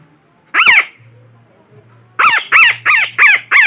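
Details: Lure call for trapping parakeets: a single rasping squawk, a pause of over a second, then five fast, loud squawks in a row.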